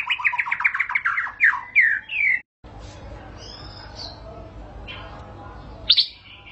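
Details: White-rumped shama trilling rapid repeated notes that drift upward for about two seconds, then near silence with faint whistles and one loud sharp note near the end. The song is said to trigger singing (ngentrok).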